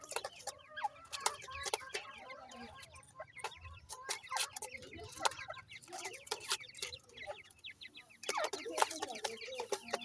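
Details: Captive grey francolin chicks from a breeding setup, giving rapid, soft, high chirps and peeps in irregular bursts, mixed with frequent sharp clicks and tapping sounds throughout.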